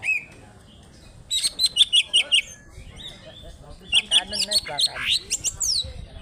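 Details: Original Alas Purwo, Banyuwangi greater green leafbird in fighting trok-bul style, with tail spread, pours out bursts of rapid, evenly repeated high chirps, pauses, then resumes with sharp notes and sweeping whistles.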